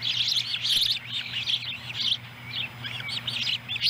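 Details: Osprey family at the nest in Lolo, Montana, July 18, 2017, during a feeding of a small fish. Bursts of thin, high chirps come in loose clusters with short gaps, over a faint steady hum.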